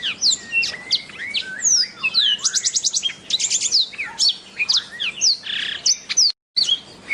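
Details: A black-throated canary sings a long, dense medley of high whistled sweeps, fast rattling trills and chattery notes, running almost continuously with one brief silent break near the end.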